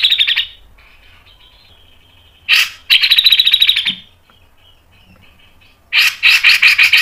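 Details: Cucak jenggot (grey-cheeked bulbul) 'nembak panjang' song: a brief rattle, quiet high murmuring, a loud chip, a long rapid chatter of close-set notes lasting about a second, then a final run of six strong, ringing pulses.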